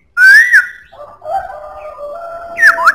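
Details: Loud rising and falling whistle from a black-throated laughingthrush, followed by lower, softer wavering warbled tones and a final pair of bright swooping notes, in a strong voice.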